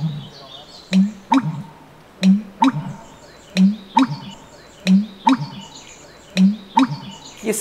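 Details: American Bittern male in hidden North American marsh vegetation giving its pumping call to attract mates and defend breeding areas: deep, gulping notes, each low thud paired with a hollow knock, about every 1.3 seconds, like a stone dropped in water.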